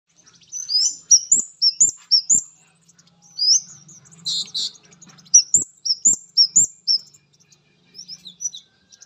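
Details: Male orange-headed thrush singing vigorously on meeting a female: rapid series of high, sharply rising chirped notes, about two per second, in bursts with brief pauses, punctuated by low dry clicks.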